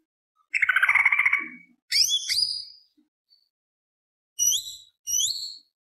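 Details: Greater green leafbird singing, a harsh rolling burst followed by a bright rising whistle, a pause, then two short upward-sweeping whistled notes.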